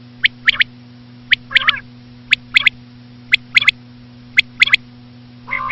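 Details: Crisp triplets of high, clipped notes from a common quail repeat roughly once a second, six phrases in all, ending with a rough nasal burst. A low electrical hum persists.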